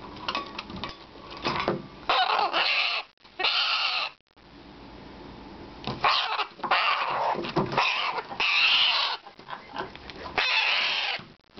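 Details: Bare-eyed cockatoo yelling indoors during its morning routine while playing and flapping: harsh, broadband screeches in long bursts, with a short pause near the middle and quieter gaps between outbursts. Spanish speech is nearby.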